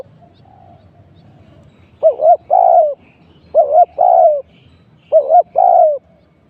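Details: A decoy spotted dove calls during trapping. Three evenly spaced phrases arrive roughly every one and a half seconds, each a short two-part hooked note and then a sustained, slightly falling coo. The setting is otherwise quiet.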